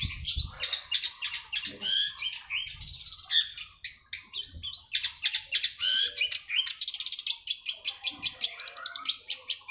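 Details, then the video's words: A long-tailed shrike, used as a lure song for shrikes that have stopped singing, gives a fast, busy chattering song of sharp, high notes, packed tightly together and rarely pausing, with a few soft low thumps underneath. "pancingan burung cendet macet bunyi"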